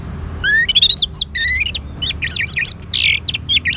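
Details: An orange-headed thrush (Geokichla citrina) sings a rapid, varied run of rising whistles and rich warbled phrases, loud and clear over a quiet background.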